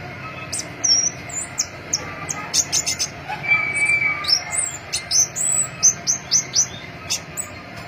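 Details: Crimson-breasted flowerpecker (pentis pelangi) singing: very high, thin, flicking notes, scattered and then in a rapid run of down-slurred chips toward the end, with a faint lower whistle midway and a constant low hum behind.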